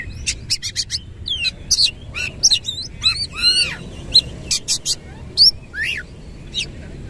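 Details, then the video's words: Oriental magpie-robin with fanned tail in rapid 'nembak' song: a volley of staccato high chips, then buzzy rattles, curled whistles and a few clear rising notes spaced through the phrase. "KACER GACOR NEMBAK NGEROL FULL BUKA EKOR"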